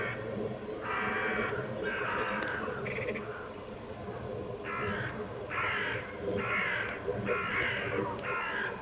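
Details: Cranes returning north on migration, calling in a series of harsh, trumpeting notes. Each note lasts about half a second and the notes repeat roughly once a second, over a steady low background rumble.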